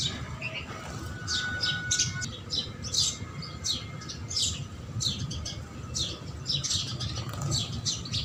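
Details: House sparrows at a feeding spot near buildings, chirping while taking food: short, harsh, repeated chirps tumbling over one another about twice a second, as if from several birds, over a steady low rumble of background noise.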